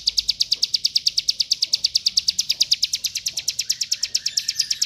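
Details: Mountain white-eye song, rapid, used as a training song for other birds: a fast, very regular run of high chirped notes, roughly seven per second, steady throughout, with faint lower sounds beneath.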